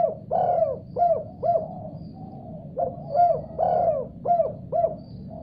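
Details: Spotted dove answering another call with clear, mellow coos: two phrases of short notes around a longer, rolling central coo, delivered close and loud with little background noise.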